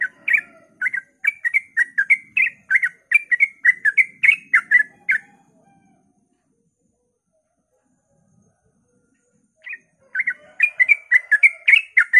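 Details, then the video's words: Dawn song of a sooty-headed bulbul in 'ropel' style, meant to provoke other bulbuls to sing; about five seconds of rapid, chattering two-note phrases, a pause of silence, then the fast bubbly phrases return. "suara trucukan ropel pagi subuh AMPUH memancing trucuk agar ikut gacor"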